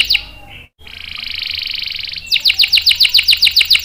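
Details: Singing canary used for luring and teaching young or non-singing males: a short note, a moment of silence, a sustained buzzy roll, then a brisk series of evenly repeated downslurred chips.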